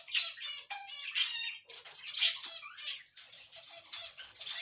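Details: Ornamental pet cockatiels calling in near-continuous harsh, grating squawks with rough harmonic chatter. Louder screeches rise out of the stream about once a second.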